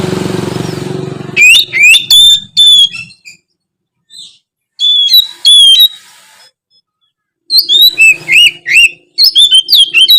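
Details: Magpie-robin (kacer) singing to spur quiet birds: a noisy start, then three phrases of clear rising and level whistles mixed with quick chirpy notes, the last phrase fast and varied.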